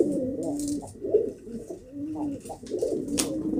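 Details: Pigeons giving steady, low droning coos with short swelling notes layered over one another, plus a sharp tap and light rustling in the background.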